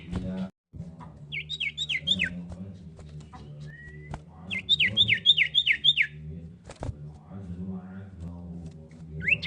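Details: Common iora, a female calling a male: short, rapid bursts of five or so high, down-slurred whistles with a few seconds between bursts, plus a single thin whistle and a steady background hum.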